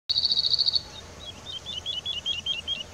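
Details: Cirl bunting in riparian woodland: a fast, dry, rattling trill of about a dozen identical high notes on one pitch, followed by fainter repeated chirping notes.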